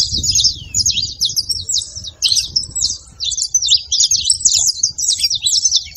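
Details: Saffron finch song played as stimulation for a silent canary: fast high chirping phrases broken by a short gap near two seconds, then resuming as dense twitter.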